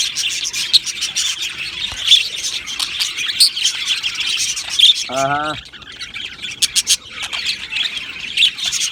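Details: Budgerigar colony in an aviary, chirping and singing: continuous high chatter with sharp clicks and chirps, broken midway by a short, lower, strongly harmonic drawn-out note.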